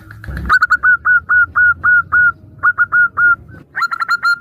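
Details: Female zebra dove, local perkutut, calling to a male as a lure in an answering duet: a steady series of short clear whistled notes, about three per second, after a brief thump, ending in a quicker burst of notes.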